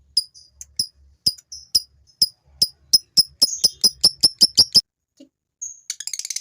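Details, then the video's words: Male fighter lovebird giving its long chatter to excite females into joining: a string of sharp, high ticking notes that quickens to a steady rapid series, a pause, then a thin whistle and a buzzy rattle. "PANCINGAN SUARA LOVEBIRD FIGHTER JANTAN NGEKEK INI ,,!!! BIKIN LOVEBIRD BETINA IKUT NGEKEK"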